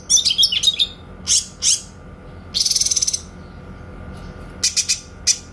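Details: Singing grey-cheeked bulbul, a clear 'tembakan' master recording for oriental magpie-robins: a jumble of quick high chips, two rising strokes, a fast pulsed rattle, then a closing cluster of sharp staccato notes.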